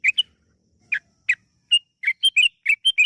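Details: Yellow-vented bulbul singing in a lure recording meant to trigger long rapid song: scattered single chirps at first, then quickening into a tight cluster of bright whistled notes.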